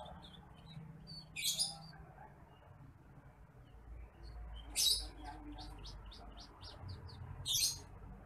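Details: Bush lark, a rice-field bird that feeds on grain, heard in a training recording for other birds: three brief, high, buzzy chirp bursts spaced about three seconds apart over a low background hum.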